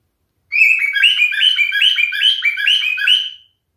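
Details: A singing male cockatiel delivers a three-second burst of quick, chattering warbles that step up and down in pitch, rich in overtones, starting abruptly and fading out at the end in a quiet room.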